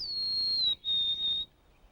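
A Golden-crowned Sparrow sings two pure, plaintive whistles, the first high and sliding gently down, the second slightly lower and held, against a quiet background.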